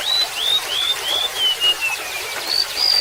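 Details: Sweet, high whistles from a golden-bellied gerygone: upslurred notes stepping steadily downward, then two higher notes at the end, over the sound of trickling water.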